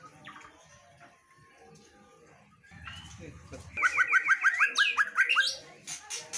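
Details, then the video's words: After a quiet start with a voice in the background, a female white-rumped shama bursts into a fast series of repeated rising chirps, about a dozen in quick succession, then ends with sharp high notes. "MB betina GACOR sampai AKHIR"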